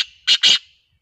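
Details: Black francolin from Sindh calling: two loud, harsh, rasping notes given back to back in under half a second, the second longer, with no other sounds.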